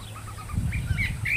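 A Curve-billed thrasher gives a quick run of soft mid-pitched notes, then brighter rising whistled phrases, over a heavy low rumble of wind or handling noise.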